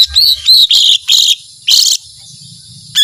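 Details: Lesser green leafbird singing in the 'tembakan panjang' (long shots) style: loud, high, sharp chirping bursts with bright upward-sweeping notes, about five phrases in quick irregular succession, ending with a brief rising whistle.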